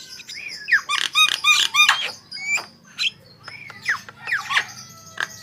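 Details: Javan myna singing, used to prompt other birds into song: squeaky upslurred whistles and bursts of grating chatter, with a low steady hum underneath.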